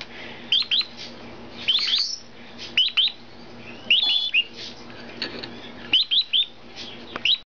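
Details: Hand-reared Meyer's parrot chicks aged 50, 52 and 57 days, waiting impatiently to be fed; repeated shrill squeaky chirps in quick pairs and triplets every second or so, with occasional rasping squawks indoors.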